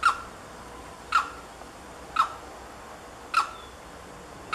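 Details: A single limpkin at Lagunas de San Vicente nature reserve, Buenos Aires Province, Argentina, 9 December 2017, gives four short, harsh, ringing calls about a second apart, over a steady low hiss.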